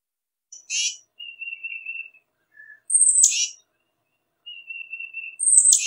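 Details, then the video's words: Scolding tufted titmouse: a harsh, raspy burst alternates with long thin level whistles and a tiny lower note, then a very high sharp note that drops straight into another harsh, noisy rasp. "Tufted Titmouse Calling Sound"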